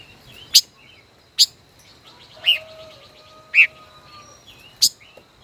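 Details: Five-colored bird dueling in song, a decoy caged over one year: crisp piercing chip notes about a second apart, brief trilled bursts between, and a faint low whistle-like hum.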